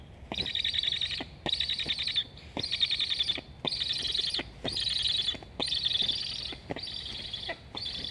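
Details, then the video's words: Black stork (Ciconia nigra) chicks at an Estonian nest, 26 August 2021, one begging for food while its sibling flies along the nest, give harsh, hissing, high bursts about a second long, repeated roughly once a second. "Must-toonekurg2 Sibling flying along the nest, Julge 7181 asks to eat. Both are chirping."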